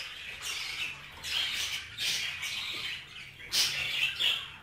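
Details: Caged budgerigars mating inside the cage; a few harsh, high squawking bursts, the loudest near the end, over quiet low background hum.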